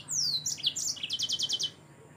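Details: Yellow-fronted canary song: a high descending whistled sweep, then short chirps and a fast even trill of about eight bright repeated notes, ending abruptly over a quiet background.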